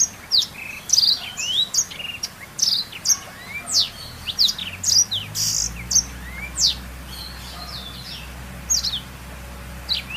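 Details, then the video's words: Black-throated canary singing as a lure or master song for training canaries: a fast run of high, thin chirps and steep whistled sweeps, some rising and some falling, tightly packed over ten seconds, with a low hum underneath. "BLACKSTROOT untuk pancingan atau masteran burung kenari"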